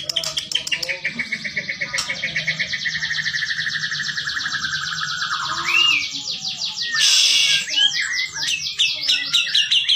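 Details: White-rumped shama of the Bahorok type singing a continuous run of buzzy, rapidly pulsed trills that slide downward, broken by sharp clicks and short whistled notes, with a loud rasping burst near the end.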